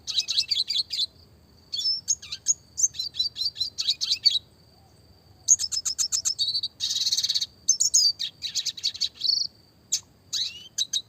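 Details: Classic red siskin singing a clear, rapid rolling song meant for training small songbirds: bursts of quick repeated chirps, a dense buzzy trill near the middle, then more twittering runs separated by short gaps.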